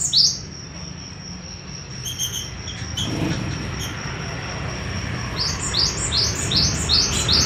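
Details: Java sparrow (wingko type) from Madiun in a long rolling song: a sharp note at the start, scattered faint chirps through the middle, then a fast series of high, rising clipped notes over a constant high tone and background rumble.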